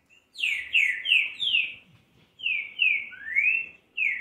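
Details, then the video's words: Green-winged saltator singing, used to warm up a bird for song: loud clear whistled notes, each sliding downward, delivered in two runs of three to four with a short pause between. "ESQUENTE SEU TRINCA FERRO AO MÁXIMO"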